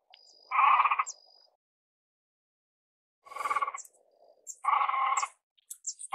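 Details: Great crested grebe making a few harsh, buzzy calls with gaps between them. Thin high-pitched chirps and twitters from other birds are heard alongside, especially toward the end.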